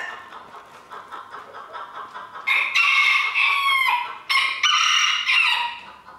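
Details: Rooster crowing during a 2022 contest in Villers-la-Ville: two loud back-to-back crows, each held for about a second and a half, rise out of dense clucking from the surrounding fowl.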